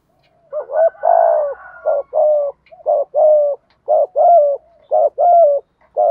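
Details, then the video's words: Decoy spotted dove giving a practiced driving coo meant to provoke wild doves into answering. Low, mellow cooing in paired phrases, a short note followed by a longer, slightly falling one, about five phrases in six seconds. "chim cu mồi thúc gù bài bản. tiếng gáy bổi rừng rất ghét, nghe điên đảo gáy theo liền"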